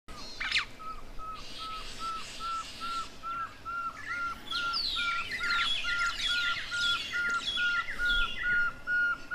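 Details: Pearl-spotted owlet calling near Lake Baringo, Kenya: a long, even series of short piping whistles, a little over two per second, slowly climbing in pitch and loudness, with busy chirping and chattering from other birds behind.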